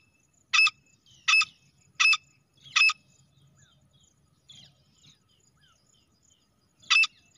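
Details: Female grey francolin (teetar) call used for hunting: four strong, rasping notes in quick, even succession, a long pause with soft background chirps and low rumble, then one more loud note.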